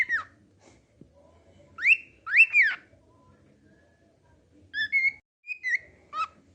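A cockatiel whistles a song of clear rising and falling phrases with short pauses between them.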